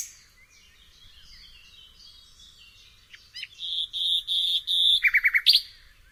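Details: Soft, faint warbling from a nightingale grows into a loud, steady whistled note, followed by a quick series of rattling repeated notes and a sharp high ending.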